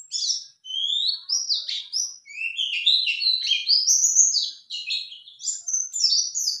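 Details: Lively male white-eye song given in reply to a lure call. Dense, high, chattering phrases of quick whistled slurs run almost without pause, now rising, now falling, with a clean quiet background.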